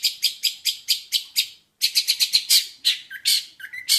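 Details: Repeated sharp chirps from a Jentet bird, evenly spaced about every quarter second, then after a pause a faster chattering series ending in brief lower whistles.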